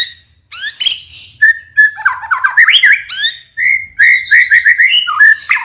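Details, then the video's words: White-rumped shama, known locally as murai batu, in the morning, singing a provoking song meant to bring out its emotion and for young birds to learn from: loud varied whistles, rising slurred notes and quick chirps, with fast bursts of repeated notes. "PANCINGAN MURAI BATU AGAR EMOSINYA KELUAR"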